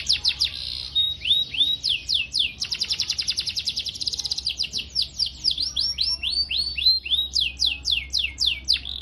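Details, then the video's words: Long continuous canary training song meant for young birds to learn from, a high chattering roll of quick downward-sweeping notes, some phrases fast and rattling, others slower swoops, running without pause over a faint low hum. "MASTERAN KENARI Gacor PANJANG CUIT CUIT NGEROL ini terbaik buat Pancingan KENARI PAUD"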